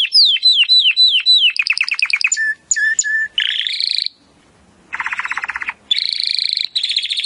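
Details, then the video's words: Timbrado canary singing in training audio for improving canaries' song: repeated downslurred chirps, short whistles, a buzzy trill, a brief quiet gap, then more rolling rattling trills. "AUDIO mas PODEROSO de TIMBRADO para el ENTRENAMIENTO"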